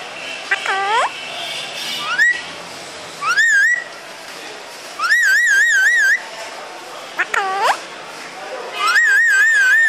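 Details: Talking parrot alternating curved, harmonic speech-like calls with rising whistles and several loud, long warbling trilled whistles roughly every two to three seconds, with a few sharp clicks.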